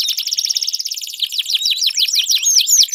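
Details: Canary singing meant to trigger song in a silent canary: a fast rattling high trill shifting into a series of sharp sweeping whistled notes repeated rapidly.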